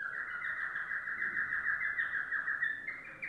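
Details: Yellow domestic canary singing a dense, fast chattering trill, continuous and rolling at a steady pitch, briefly brightening near the close.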